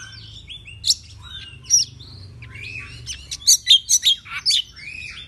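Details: Oriental magpie-robin singing in the morning, used to provoke other magpie-robins into excited, aggressive song; scattered sweet whistles and slurred notes, then a burst of five sharp, loud high chips.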